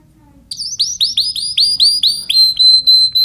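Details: Timbrado canary singing a run of clear, evenly spaced descending whistle notes, about three per second, ending in a single held pure whistle.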